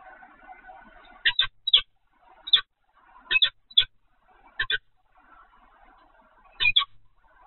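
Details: Peregrine falcon at the Evoluon nest camera, 7 February 2020, 15:55. Rasping double notes repeat in uneven pairs, about five bursts over seven seconds, over a faint low hum.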